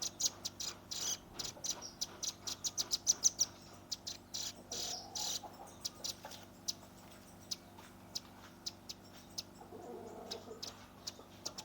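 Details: Young velvet-fronted nuthatch in shooting-style song, quieter against a noisy background: irregular volleys of thin, high chips and short rattles, with a few louder notes in the first half.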